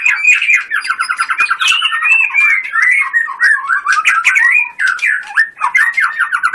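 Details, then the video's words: White-rumped shama bred for singing contests, pouring out a fast rattling trill of repeated notes followed by varied whistles and harsh chattering phrases. "Murai batu gacor full tembakan"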